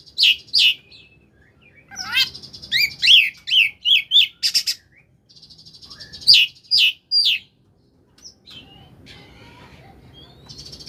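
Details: Magpie-robin 'koslet' song used to prompt silent magpie-robins into singing: quick bursts of bright, slurred whistled notes, some rapid chattering runs and harsh buzzy bits, then a quieter stretch.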